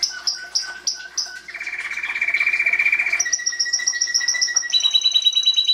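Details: A singing canary: several separate high notes, then a buzzy low trill, then whistled repeated notes at higher pitches, phrases changing every second or two.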